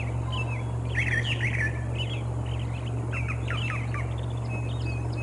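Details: Bald eagle at the Decorah North nest, early morning, 25 April 2021, giving runs of quick, high chittering notes that bend and fall, clustered in bursts, with a constant low hum underneath.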